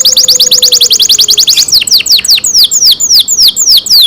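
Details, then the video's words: Loud canary song: a very rapid run of high down-slurred whistles that abruptly slows into longer, evenly spaced sweeping notes, about two per second. "canary Nice sound"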